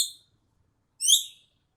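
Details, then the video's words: Javan bee-eater giving one bright, upward-sweeping chirp with layered overtones, just after the fading tail of a previous note, in a quiet setting. "SUARA BURUNG EKEK KELING MEMANGGIL"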